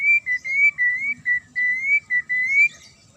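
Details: A magpie-robin sings a penetrating series of steady whistled notes, about eight in a row, each short and clear, meant to provoke rival birds into answering.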